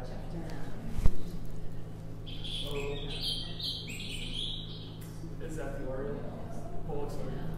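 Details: An oriole breeding in Hulls Gulch, Boise, Idaho gives harsh, rapid chatter in mid-high bursts over a low background hum, with a man's voice and a sharp knock near the start.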